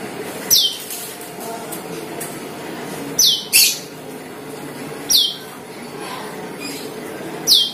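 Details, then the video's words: Lure call of the Asian glossy starling: piercing, high notes that drop quickly, given singly or as a quick pair roughly every two seconds, over a low constant room-like hum. "PANCINGAN CUCAK KELING | CK | PERLING"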